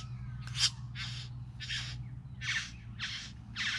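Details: Three bowerbirds calling: six harsh, broadband rasping notes about half a second apart, each a short hissing burst, over a steady low mechanical hum.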